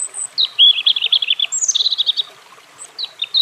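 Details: A European robin sings a quick jumble of high squeaky notes, a short break, then a second fast sparkling phrase and a few thin whistles.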